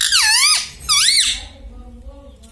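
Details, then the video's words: Talking pet parrot indoors, said to say mummy, papa and radhe radhe. Two quick high, nasal syllables with dipping and rising pitch, then fading room quiet. "Parrot talking everything || mummy mithu bolta hai"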